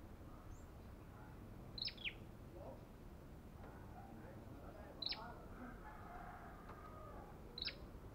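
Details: Belligerent olive-backed tailorbird giving three loud, piercing double chips spaced roughly three seconds apart, each a high note dropping quickly, against constant low rumbling noise.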